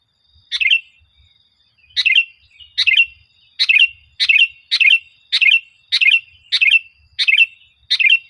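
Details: Sooty-headed bulbul in full song, played to train caged birds and boost their confidence: a rapid run of about ten similar bubbly, slurred phrases, one roughly every two-thirds of a second.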